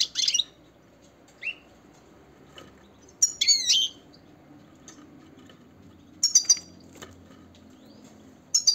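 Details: European goldfinch, a female said to be ready to mate, giving brief high chirping calls in short bursts: a sharp note, a lower chirp, then clusters of twittering notes separated by pauses of two to three seconds, over quiet background hum.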